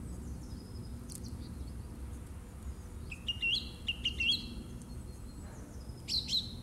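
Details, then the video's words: Song thrush singing in March 2018: a short high phrase of clear whistled notes, quickly repeated several times, after a quiet stretch. Another brief high phrase comes near the end, over steady low background rumble. "Il canto del tordo bottaccio"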